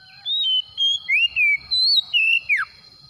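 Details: Oriental magpie-robin (kacer) song used as a lure to get a reluctant kacer singing: seven loud whistled notes and slurs, some rising, some falling, with a sharp downward sweep near the end.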